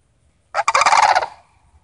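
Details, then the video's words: One rolling, pulsed rattle under a second long from a visiting Sandhill Crane family, starting abruptly and trailing off, with silence on either side. "SANDHILL CRANES CALLING"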